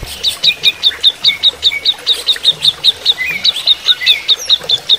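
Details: Greater green leafbird singing during running-water therapy, a steady series of sharp, bright chirps repeated about two or three times a second, with softer sliding whistles woven underneath.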